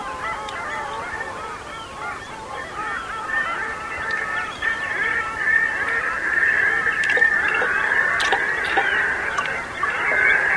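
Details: Long-tailed ducks chorusing while resting with common eiders on the foggy Bothnian Sea in Finland in late April; many overlapping nasal calls swell into a steady, rising wall of yodelling notes that grows louder toward the end.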